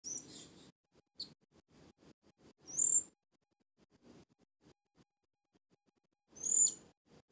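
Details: Young captive Blue-crowned hanging parrot, a new decoy bird learning its song and said to copy nearby birds, gives three thin, very high whistled notes, each with a quick downward flick, over soft low clicking and tapping.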